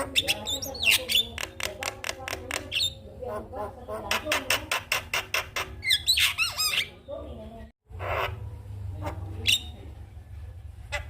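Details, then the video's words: Morning song of a Javan myna, played to rouse silent mynas into singing: a fast train of dry clicks and rasping harmonic notes, then twisting whistles and a brief pause before scattered squawks resume over steady low hum. "Pancingan Burung Jalak Kebo Macet Bunyi Pagi Hari Akan Bikin Jalak Lebih Semangat"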